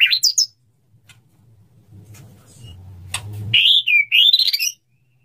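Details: Male white-rumped shama courting a female: short high whistled phrases at the start and end, separated by a low humming drone in the background.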